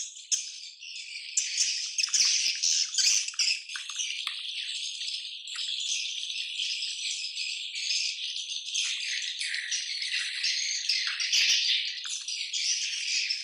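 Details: Original recording of a swiftlet colony: a dense, continuous wash of high chattering and buzzy twitters from many birds, rising and falling in intensity with no quiet gaps.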